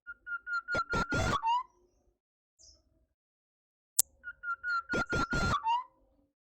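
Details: Pet songbird pushing the microphone into overload. A fast run of equal whistled notes on a steady pitch finishes with an upward slur, given twice with a pause and a sharp click between. Loud crackling distortion cuts through each phrase.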